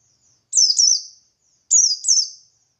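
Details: Buxtoni white-eye singing in the wild forest style, played as a lure to make other white-eyes answer: two high, thin phrases, each a quick pair of sharply falling whistled slurs with a fading tail, about one second apart.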